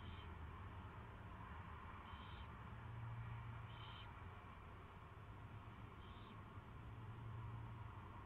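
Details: First feeding of an owl chick on a live feed, 24 February 2016 at 2:15 PM; four brief high squeaks a second or two apart, drowned partly by a droning low hum.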